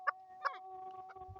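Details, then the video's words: Chukar partridge (chakor) in Swat, Pakistan, one of several male and female birds: two short, sharp clucking notes about a third of a second apart, over a steady background hum. "Chakor Sound"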